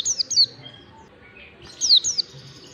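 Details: Two quick bursts of bright, high whistles from an Oriental white-eye, each note sliding steeply down, from long standard 'ngalas' song used as a singing lure for young birds.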